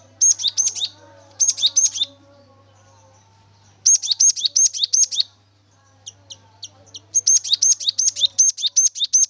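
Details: Cinereous tit in energetic song, used as a lure to make the bird sing: short bursts of rapid, high, clipped paired notes, a bright whistle falling to a lower tick, separated by quiet gaps, with a few soft isolated chips between.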